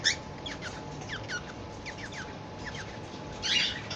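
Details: A cockatiel, described as in love, gives quick, thin chirps that slide downward, repeated in loose bursts.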